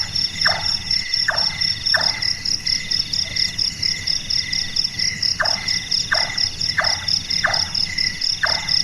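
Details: Large-tailed nightjar, known locally as burung tukang or burung malas, calling at night with a sound likened to carpentry: knocking chonk notes repeated about every 0.7 seconds in two bursts, over a steady high insect and cricket chorus.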